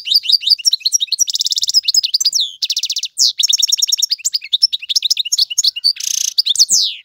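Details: European goldfinch male in full song, used for teaching fledglings: dense tinkling chirps, rapid rattling trills and a harsh buzzy note, delivered without break for seven seconds.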